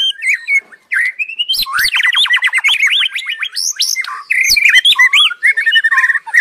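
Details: Continuous song of a white-rumped shama: sweet whistled phrases give way to a rapid rattling series of sliding notes around the middle, then looping warbled whistles and chattering.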